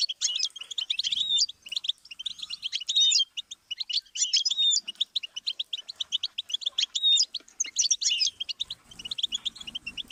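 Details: Goldfinch song used to train songbirds: continuous bubbling twitter of rapid chirps, interspersed with clear whistled slurs, the phrases running on with hardly a gap.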